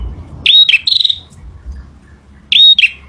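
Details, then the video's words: Male bar-winged prinia singing: two bursts of sharp, high, slurred chirps about two seconds apart, with quiet gaps and a faint low rumble in the background. "SUARA PRENJAK JANTAN"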